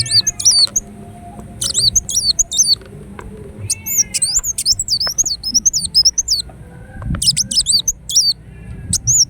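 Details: Kolibri wulung, or ruby-cheeked sunbird, singing energetically: long runs of shrill, rapidly repeated hooked notes in several bursts, some lower descending sweeps, and quiet background hum.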